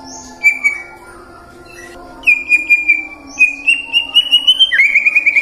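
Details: White-rumped shama song, murai batu lure for prompting morning, midday and afternoon singing: high held whistles separated by pauses, then a long wavering whistle breaking into rapid notes and a drop in pitch.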